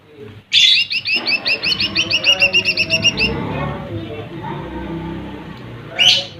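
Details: Lesser green leafbird singing to provoke a rival: an opening high burst, then a fast series of about twelve bright, clipped notes over steady low rumbling background noise, with another sharp burst near the end.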